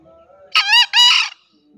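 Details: Morning crow of a green junglefowl: two loud, harsh, rasping bursts in quick succession, the second longer than the first, over a quiet background with faint birdsong.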